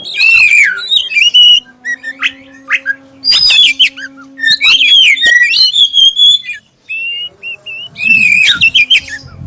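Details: Black-breasted oriental magpie-robin giving a clear lure song meant to prompt other magpie-robins to sing: loud, varied whistled phrases rising and falling, in bursts separated by short pauses, over a steady low electrical hum.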